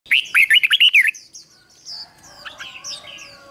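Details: Decoy red-whiskered bulbul singing to lure wild birds: a loud burst of about nine quick, warbled, rising-and-falling notes in just over one second, followed by thin, high chirps from other birds.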